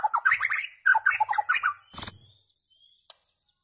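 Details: White-rumped shama singing for goldfinch tutoring: two fast bursts of rich, slurred descending notes, then a sharp high note and near silence with a faint click.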